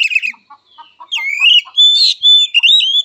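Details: Fighting song from an oriental magpie-robin: a short chattering burst and soft low ticks, then a long rising whistle leading into loud level and wavering whistled notes.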